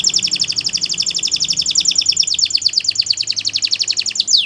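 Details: Singing Belgian canary, played as a teacher for young birds: one long, steady, rapid trill of high repeated notes that ends in a quick downward sweep, over a soft low hum.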